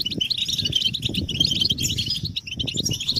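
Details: Several European goldfinches twittering together, a stimulation chorus meant to make males sing: rapid, tinkling, liquid chatter repeated without pause over a steady low rumble.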